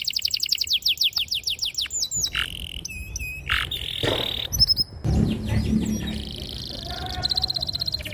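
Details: Canary song for teaching young canaries to sing: quick run of descending whistles, then mixed trills and chattering phrases over a low background rumble.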